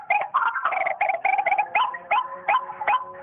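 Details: Phone playback of a white-breasted waterhen, used as a lure: harsh croaks run together, then give way to clipped notes that rise and fall sharply, about two or three each second, sounding tinny.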